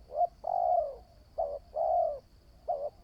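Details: Newly trained spotted dove decoy cooing: brief low coos alternate with longer, fuller coos in a steady rhythm of about three seconds, with faint ticking in the background.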